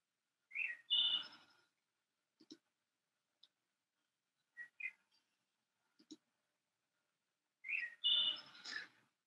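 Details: A thrush sings in spring near the Des Plaines River and shoreline at Glenview: two flute-like, melodic phrases about seven seconds apart, each opening with clear whistles before a rich tumbling flourish (remembered as "ee-oh-lay"), with soft quiet notes between.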